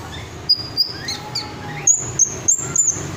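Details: A crimson sunbird gives very high, thin, sharp notes in quick bursts, some drawn into brief sibilant strokes, against a soft hiss of background noise.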